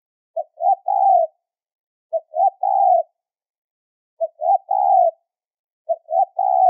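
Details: Spotted dove calling in a high-pitched lure recording meant for trapping: four even phrases, each a tiny note, a rising note and a long level coo, spaced about two seconds apart.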